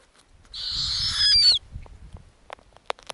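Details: Snowy owl owlets on an Arctic nest, fed lemmings by their mother. One long harsh screech that rises in loudness and ends in a sharp downward whistle, followed by low rustling and a few clicks and knocks.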